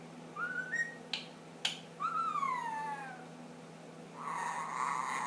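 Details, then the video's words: A 10-month-old male pet ring-necked parakeet makes funny noises, starting to whistle the Addams Family tune: clear whistled notes, one rising and one long falling glide, with sharp clicks between, then a harsh raspy screech. "My funny noise ringneck"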